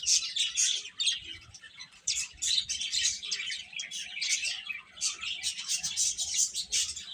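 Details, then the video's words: Many young chicken chicks peeping together in a continuous high, bright chatter of short overlapping chirps, with brief lulls around the one- and two-second marks. "Cute Chicks Chirping Sounds"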